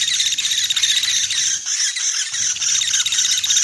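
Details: Trapping lure recording of a common flameback: continuous shrill, rattling trill held high and steady, briefly dropping its low background rumble midway, with no other clear sounds.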